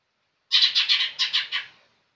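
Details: Gacor singing from a young green leafbird: a short run of seven quick, harsh, rasping chirps that fade slightly toward the end, with no other sounds around it.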